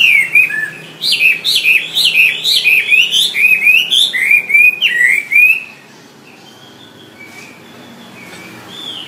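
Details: Wambi song used as training material for songbirds: rapid run of clear whistled notes, each sweeping up then down, about four per second for five seconds, then quiet with faint distant chirps.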